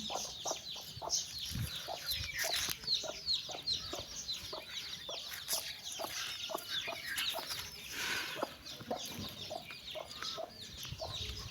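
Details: Hen summoning her babies for a walk; dense, rapid clucks tumble out almost continuously, mixed with a thick wash of high, piping chick peeps throughout.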